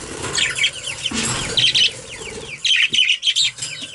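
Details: Budgerigars calling during a bath, rapid high chattering chirps in bursts, with a lower thump and splash near the middle and a short quieter gap before the chatter resumes.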